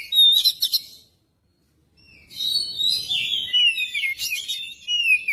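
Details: Magpie-robin singing as a lure to get other birds going: a quick cluster of chirps, a silent gap, then a long, lively warble of mixed whistles and trills ending on a downslurred note.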